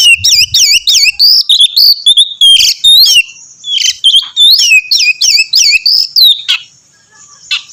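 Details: Oriental magpie-robin, a lively singer used to stir another to sing, pours out rapid repeated looping whistles in a steady fast series, then trails off into a few soft notes.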